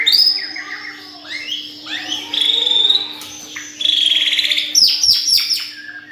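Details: Bird in a cage singing rapid, rich song with buzzy rasping trills, twittering notes and a few sharp clicks, against a faint steady hum.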